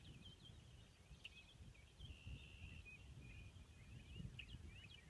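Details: Ruddy Turnstone at Four Rivers CA, Vernon County, Missouri, giving quiet, high twittering and chattering notes in loose bursts, over a heavy low rumble of wind or surf.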